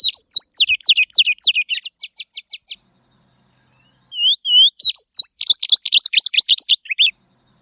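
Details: Tropeiro seedeater (Sporophila beltoni) song of quick, high, sweeping whistled notes repeated rapidly, a short pause, two or three clear slurred whistles, then another fast series of sharp sweeping notes.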